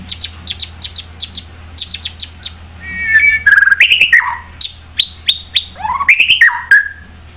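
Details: White-rumped shama in full song: a string of rapid high ticking notes, then loud rich varied whistles, slurs and sharp clicks in a lively tumbling phrase, with low humming background.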